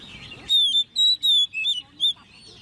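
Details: Caged Oriental magpie-robin, a hand-reared ten-month-old bird, in competition singing: five clear, loud whistled notes in quick succession, each a pure sliding tone with a bright ring, separated by brief pauses.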